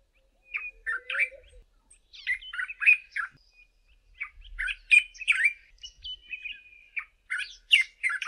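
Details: Far-carrying dawn song from a male Dark-capped Bulbul on a bush top: repeated bursts of bright, gurgling whistles and chirps in uneven groups, with a brief lower whistle near the start and a long steady note midway.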